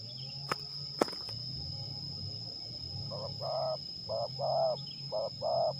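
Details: Zebra dove, a lure bird in a singing contest test at Liwa, West Lampung, Indonesia, gives a series of short hollow coos around 600-800, uneven bursts after two sharp clicks, over a steady high electrical whine and low hum.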